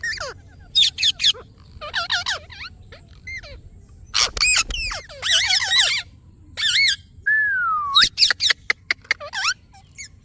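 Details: Ringneck parrot calling: a dense run of harsh, squawky, wavering screeches in short bursts, then a long rising whistled note and rapid sharp chips.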